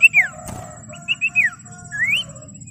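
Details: Varied common iora song aimed at rivals: a falling whistle, a knock, then a trio of short slurred whistles and a long rising upsweep, over a faint hum.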